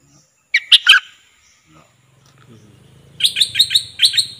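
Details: Decoy Cream-vented bulbul recorded 11 July 2021 gives a short, bright three-note bubbling phrase. After a pause with low rumbling, a rapid run of chattering, clipped notes repeats about five times.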